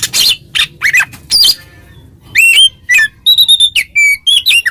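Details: Oriental magpie-robin singing ngeplong to provoke a rival: a few harsh rasping notes, a short pause, then a series of clear, ringing whistles that rise, hold level and drop.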